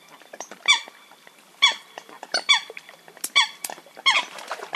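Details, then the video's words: Eurasian coot calls used for hunting: bright, nasal, honking notes spaced about a second apart, each sharply struck, with fainter ticking sounds filling the gaps. "Eurasian Coot (Fulica atra) Real Hunting Call Sound"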